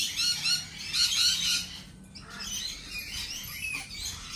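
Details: At a cafe, lorikeets give a loud, scratchy, shrieking burst in the first second and a half, then quieter, softer squawks and chirps trail off, with a faint low hum underneath.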